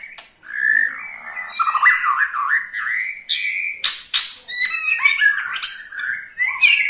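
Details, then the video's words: Ketrekan of a white-rumped shama, played to prompt other shamas to sing: a continuous wavering warble that rises and falls, then choppy bursts of bright chips and shrill high notes. "KETREKAN SAKTI!! || MURAI BATU MANAPUN PASTI TIDA MAU DIAM IKUT GACOR"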